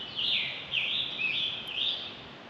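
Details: Male Scarlet Tanager singing at dawn in spring from treetops in his territory, Southwestern Ontario near the Thames River, announcing his presence to intruding tanagers: a hoarse, burry warble of four or five slurred phrases in quick succession, over faint background hiss.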